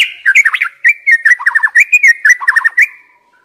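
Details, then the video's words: Young wild white-rumped shama singing as a lure to stir other birds into song: a fast run of clear whistled notes and rolling trilled bursts, steady and loud, fading at the end. "Pancingan MURAI BATU Muda Hutan"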